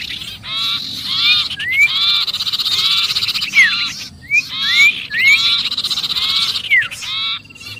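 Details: Noisy sirpu alarm, as if pinned, used to lure birds: long grating buzzy phrases broken by brief silences, with bright rising and falling whistled slurs between them.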